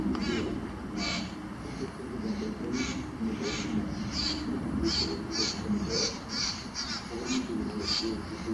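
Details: Small all-black birds, a size smaller than robins, singing in Calgary, Alberta, Canada on July 22, 2025, sound likened to crows: short squeaky, buzzy notes repeated about every half second over a steady low background rumble.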